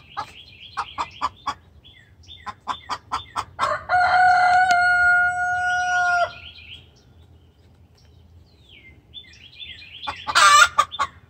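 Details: Distressed hen calling the rooster: quick repeated clucks lead into a drawn-out steady tonal cry lasting over two seconds, then a closing harsh squawk, with high chirps in between.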